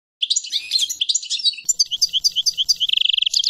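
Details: Continuous European goldfinch song packed with jumbled high chirps, twitters and liquid notes, speeding into a fast even trill near the end, with faint low rumbles beneath.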